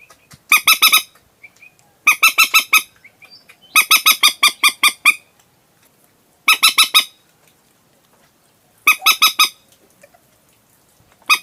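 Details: Moorhen call used to lure birds at night, repeated in separate bursts of three to seven harsh, nasal, evenly spaced notes with short silent gaps between bursts.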